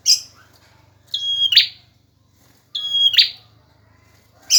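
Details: Male bar-winged prinia in full song, recorded as tutor material for other birds: two bright phrases, each a held high whistle snapping into a buzzy burst, with brief fragments at both ends over a soft low hum.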